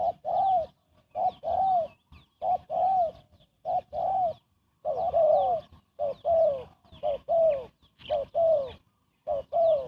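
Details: Fast spotted dove cooing meant to attract birds for trapping; a steady run of hollow two-note coos, short then longer and arched, roughly one per second, loud and close.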